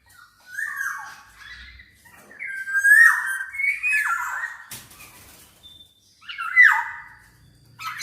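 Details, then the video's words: Black-naped oriole singing actively, used as a tutor recording and lure to prompt other orioles to sing: harsh, nasal, slurred phrases with rising and falling notes in short bursts separated by pauses, plus a faint brief whistle. "SUARA BURUNG KEPODANG COCOK BUAT MASTERAN DAN PANCINGAN KEPODANG AGAR BUNYI"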